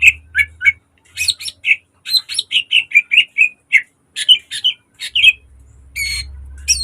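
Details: Caged green leafbird giving a varied model song used to train other birds: fast chirps and whistles in clustered phrases, pausing briefly, with steady low hum near the end.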